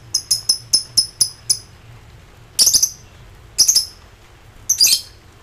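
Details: Lovebird ngekek song while calling rivals in high excitement: a quick series of six clipped high chirps, then three longer, harsh, rattling squawks about a second apart.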